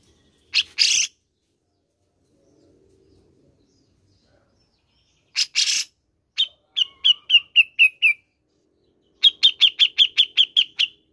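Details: Grey-cheeked bulbul, played to prompt caged birds to sing. Harsh rasping bursts twice, each followed by lively series of quick, ringing chirps, the last a rapid run of about eight even notes. A faint low murmur lies beneath.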